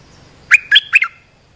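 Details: A single quick phrase of three bright, bubbly notes from an olive-winged bulbul, in a recording meant to train young birds and call in wild birds.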